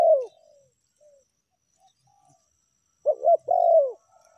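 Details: Spotted dove (tekukur) lure call in the meratus and melambung styles. A falling coo ends at the start. After a near-silent pause, a full phrase follows: two quick notes and a long husky coo sliding downward.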